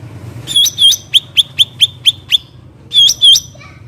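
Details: Black-headed bulbul heard in nature: two hooked, warbling whistles, a run of seven crisp clipped notes in steady rhythm, then another pair of hooked whistles; light low-pitched background noise.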